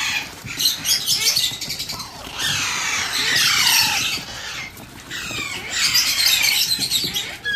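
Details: Hand-fed Alexandrine parakeet chick, squawking in raspy, pulsing outbursts with descending slurred notes, quieter intervals between noisy bursts.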